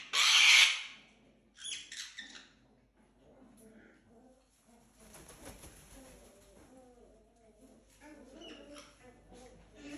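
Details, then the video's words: Parrot kept indoors in a house shared with other exotic animals, giving a loud, harsh, broadband scream in the first second, followed by quieter scattered chatter, rustling and soft room noise. "If in your house it’s quiet, then we have a solution for you: get a parrot."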